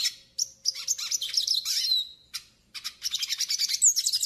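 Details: Training and warm-up song of the Yellow-faced siskin: quick high twittering with a drawn-out descending whistle, a short break, then a run of rhythmic rapid chirps.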